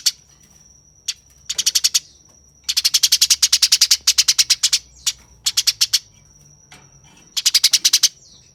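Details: Harsh, rapid fighting chatter from a Eurasian tree sparrow. Long machine-gun volleys of coarse chirps alternate with short gaps, repeated several times. A faint continuous high-pitched tone sounds throughout.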